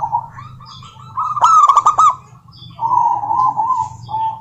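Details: Rival-directed calling by a local female zebra dove: a brief loud volley of harsh, bright, stuttering notes, a pause, then a sustained, softly rolling cooing trill, all over a low constant hum.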